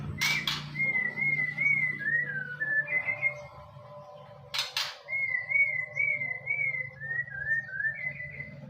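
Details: White-rumped shama from Borneo singing clear, slurred whistled notes that waver around one pitch, a phrase of about four seconds given twice, over a steady low hum with two sharp clicks.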